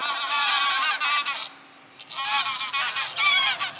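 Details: A large gaggle of geese flying over Eaton Hall and an 1890 obelisk in Cheshire, England, filmed 28 August 2022: many overlapping harmonic honks in dense bursts, a brief lull near the middle, then renewed clamour.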